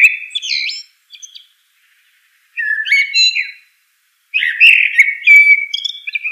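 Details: Three short bursts of common blackbird song, mellow whistles mixed with rising and falling fluted notes and thin high squeaks, separated by brief silent pauses.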